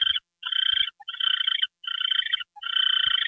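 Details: At 9:33 PM on January 28, 2013, an owl receives a mouse treat and answers with five rasping, rapidly pulsed buzzy bursts separated by short pauses, plus a couple of faint low taps.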